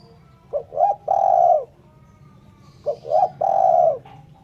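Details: Spotted dove recorded cleanly for bird-catching lures. It gives two phrases about two seconds apart, each made of short stuttered notes, a rising coo and a long steady coo. A soft low hum runs throughout.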